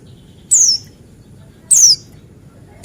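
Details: Male Buxtoni white-eye (pleci) singing as a lure to make other white-eyes sing: two high, thin, sharply descending whistled notes about a second apart over a faint low hum.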